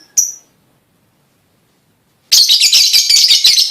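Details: Lovebird song for prompting other lovebirds to sing: one sharp high chirp, a two-second silence, then dense, continuous buzzy chattering trills.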